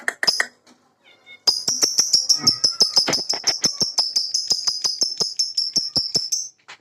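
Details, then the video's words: A lovebird performing ngekek, the long continuous chattering song, while a white British Shorthair cat watches; a dense run of rapid, high, buzzy chatter notes repeated almost three per second for about five seconds, after a few brief sharper calls. "Love Bird Ngekek"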